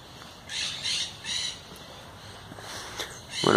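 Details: A tame pet European goldfinch that only recently began singing gives short bursts of high, twittering song, three close together, then a pause, over a steady background hum with a louder noise at the end.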